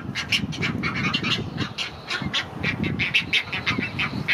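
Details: Great egret chicks begging while a parent feeds them at Gatorland in April 2021; harsh, rapid repeated nasal squawks and clacking chatter, several calls per second, loud and insistent throughout.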